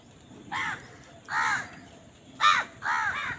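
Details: Crow squabbling with wild birds over food, giving four harsh, hoarse caws about a second apart. Each is a short, rasping burst, the third loudest and sharpest, with quiet gaps of faint background hiss between them.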